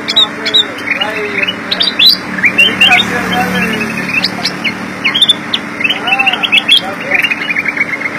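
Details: Black-crested bulbul singing energetically: loud, quick chirping notes and short warbled phrases coming in bursts, with a steady low hum underneath.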